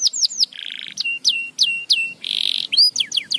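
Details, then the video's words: Canary singing aimed at stimulating lazy canaries: falling whistles, a buzzy rattle, repeated sharp notes dropping into a flat whistle, a loud buzzy trill, then quick descending chirps. "muito eficaz para estimular o som do chilrear dos canários preguiçosos"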